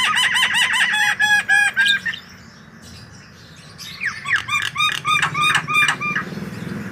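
White-vented myna giving rapid bursts of harsh, nasal, rasping notes in quick series, with a short pause between two runs over a low background hum.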